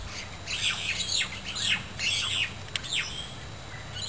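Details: A magpie-lark (peewee), recorded 3 November 2010, gives loud, ringing, slurred notes in quick bursts, rising and falling over about three seconds, with a faint low hum behind.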